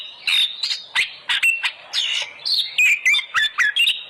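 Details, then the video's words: Lure recording of an oriental magpie-robin singing to prompt captive birds: rich whistled phrases mixed with buzzy notes and sharp chips, delivered in rapid bursts with short gaps. "pancingan burung Kacer agar gacor"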